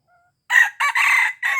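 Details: Red junglefowl from Aceh, a call used to lure wild junglefowl: a loud, harsh crow in three bursts after a short pause. The first burst is ragged, the middle one longest, and the last clipped short.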